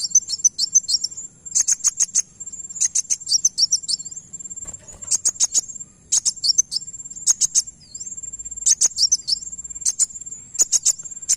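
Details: Van Hasselt's sunbird song played as a lure so another bird responds: repeated phrases of rapid, piercing high chips and trills, about every one to two seconds, with a constant thin high tone and occasional curling whistles between them.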